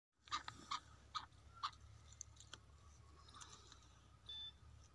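A black francolin gives four short, harsh, grating notes in quick succession within about a second and a half, over a low steady background hum.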